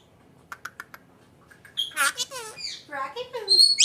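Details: Indoor female Senegal parrot repeating her own name: a few soft clicks, then a rapid run of harmonic, voice-like syllables that climb and fall, ending on a high whistled note.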